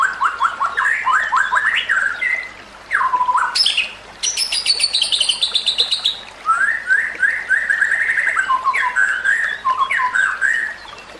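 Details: White-rumped shama training song: fast tumbling series of downslurred whistles, a loud burst of harsh ringing notes, then lively repeated chirping phrases with brief gaps.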